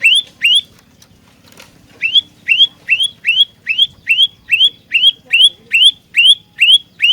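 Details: Olive-backed tailorbird (prenjak lumut) in full, energetic 'fighter' song used as a trapping lure: loud, sharp upswept notes repeated steadily, about two to three each second, after a short opening pause, over a faint low hum.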